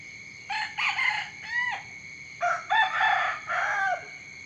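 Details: Chicken crowing early in the morning: two crows in succession, each a run of coarse, buzzy syllables finishing on a longer falling note, with a persistent high whine.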